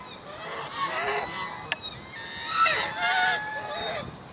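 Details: Greylag geese in a gaggle at Vineland on 22 December 2020, honking while flapping wings; several geese call at once in nasal, slightly rising honks, with a sharp click near the middle.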